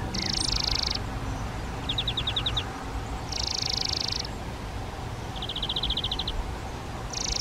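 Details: Collared flycatcher at a nest box in a garden during the breeding season gives calls: high, hissy bursts alternating with quick runs of about eight thin ticks, roughly every one and a half seconds, over a low rumbling hum.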